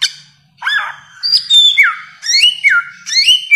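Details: Bare-throated whistler in a long training (masteran) recording, singing loud, ringing whistles with notes sliding down then swooping up, phrased roughly once a second; no other sounds.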